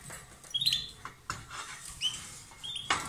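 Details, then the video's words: Two lovebirds billing and sharing food, heard as bright, high, slurred chirps and whistled squeaks that come singly and in short runs over a background of rustling. "Love birds Sound"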